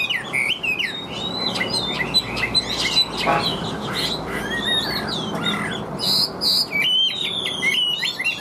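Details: Captive Chinese hwamei in full, steady song. Loud, varied whistled notes swoop up and down in quick succession. Sharper, higher chirps come near the end, over a faint low rumble.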